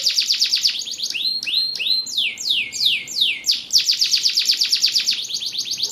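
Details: Canary (kenari) singing a varied, high-pitched strophe: a fast buzzy trill, then drawn-out downward-sliding whistles repeated in a row, returning to a rapid, rattling trill of sharp repeated notes.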